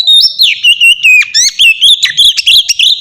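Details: Captive-training ngeplong song of an Oriental magpie-robin: a continuous run of loud, clear whistles dropping and rising, broken by sharp ticking notes in steady succession.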